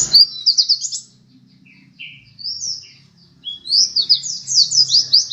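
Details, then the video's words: Second-place champion pleci dakun white-eye singing: a short burst of high chirping, scattered single notes over a faint low hum, then a fast, dense run of descending twittered notes to the end. "pleci dakun macok juara 2 gacor dor"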